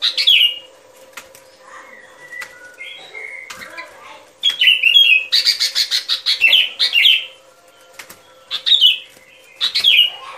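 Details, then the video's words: Sooty-headed bulbul singing, recorded as a trapping lure. Quiet scattered notes come first, then a loud run of rapid, slurred, descending whistles, then two brief later phrases, all over a faint constant hum. "Tiếng Chim Bông Lâu Mồi Chuẩn Mp3 || Âm Thanh Đi Bẫy"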